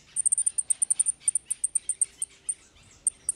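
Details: Quieter, more distant European goldfinch in repique song, a rapid string of very high, short ticking notes, about four per second, thinning out toward the end.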